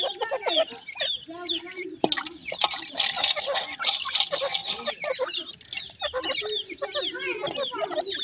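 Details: Grey francolin chicks peeping in high, thin, rising and falling chirps, interrupted in the middle by loud rustling and scratching, then resuming as scattered overlapping calls.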